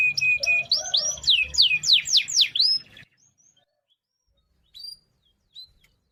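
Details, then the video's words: Canary song with rolling phrases, used for training other birds: about three seconds of quick, loud, downward-sweeping whistles over a faint trill, then near silence with two soft chirps. "Suara Kenari Gacor Ngerol Panjang"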